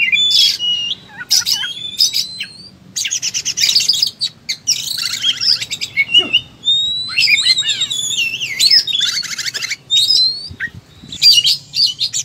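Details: Oriental magpie-robin in combative fighting-style song, delivering its whole repertoire: rapid high twittering, rising whistled slurs, harsh buzzy rattles and scratchy trills in quick bursts separated by short gaps.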